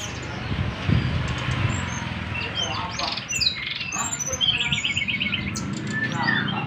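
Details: Brown-chested jungle flycatcher singing in the Nyengklak style: quick bright chirps and short whistled slurs at high pitch, some notes sweeping down, over a steady low rumble and faint voices.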